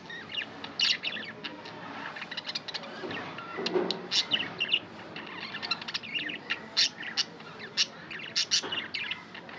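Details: Budgies kept as pets give rapid, broken chirps and clicks, dense high-pitched chatter with sharp spikes throughout, over faint background hum and rumble.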